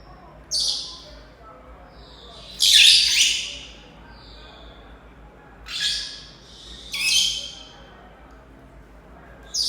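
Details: Indoor African grey parrot that dislikes the household's Senegal parrots, giving a series of harsh, raspy squawks at irregular intervals of one to three seconds, the second one loudest.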